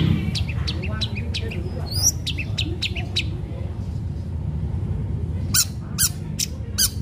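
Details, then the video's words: Long-tailed shrike singing sharply as a lure for other shrikes: a quick series of short chipping whistles, a pause, then four loud harsh rasping bursts spaced about half a second apart, with low hum underneath. "Cendet gacor Tarung Tajam Bikin cendet lain terpancing ikut Gacor"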